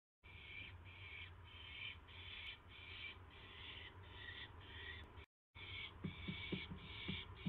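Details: Owl at night on May 9, 2016, around 9:38 PM, as it receives a mouse: harsh, breathy hissing bursts repeat roughly every half second, with a short break, over a steady low hum and a few soft knocks near the end.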